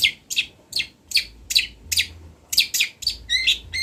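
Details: Long-tailed shrike of local Kendal stock, Indonesia, recorded for training birds: bright chirped and buzzy notes repeated roughly three times a second, ending in quicker warbled notes, low hum underneath.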